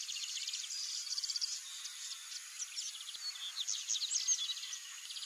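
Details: Lined seedeater singing: a rapid, dense run of high, thin twittering notes, some buzzy, some clipped, pouring out almost without pause across the whole stretch. Faint steady background hiss.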